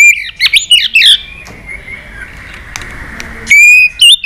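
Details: White-rumped shama giving a many-voiced fighting song to provoke a rival: twisting loud whistles and slurred notes, then over two seconds of near silence before bright ringing whistles return.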